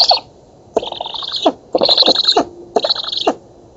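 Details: Black stork young begging during feeding in an oak nest in Poland, 11 August 2017, nest camera: a short hiss, then three drawn-out scratchy wheezes with rattling undertones and gaps between.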